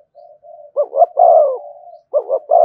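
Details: Cooing of a spotted dove, thổ voice with thúc and kèm: soft low murmuring notes lead into a double coo and a long swelling coo that fades out, then another double coo and long note.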